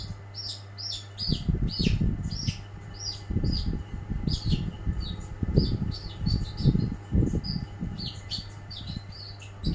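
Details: First-place long-tailed shrike belting out rapid, continuous chattering notes in a dense run, while loud low thuds and rumbles knock repeatedly underneath.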